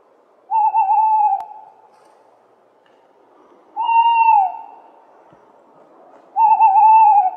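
A tawny owl gives three drawn-out, slightly hoarse calls, each about a second long and falling a little at the end, spaced roughly three seconds apart.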